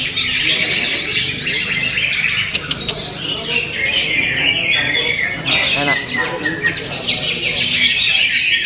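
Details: Greater green leafbird singing: quick rising whistled notes in a run at the start, then dense sharp chirps and twitters with clicking bursts, while human voices murmur underneath throughout.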